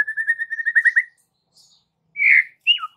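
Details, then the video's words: Afternoon lure song of a white-rumped shama, meant to get juvenile birds singing back: a rapid even trill of about fifteen whistled notes, a pause, then a harsh rasping note and a sharp falling whistle, otherwise quiet. "PANCINGAN MURAI BATU SORE HARI UNTUK TROTOL DAN PASTOL, AGAR MURAI NYAUT GACOR"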